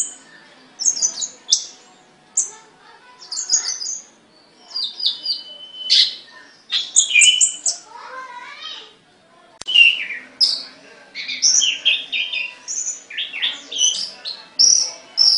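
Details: Caged songbird singing a long, continuous medley of high chirps, trills and whistled slurs, phrases arriving every second or so, some lower warbling notes in the middle.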